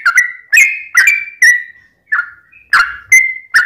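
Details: A sooty-headed bulbul's lure song, meant to provoke other bulbuls to answer. Loose, spaced whistles slide downward, with a quiet gap in the middle before several sharper notes follow.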